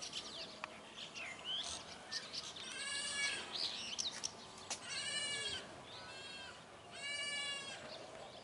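A flock of Brahminy starlings chatters with thin whistles and chirps, broken by three drawn-out, nasal, bleating squawks about two seconds apart.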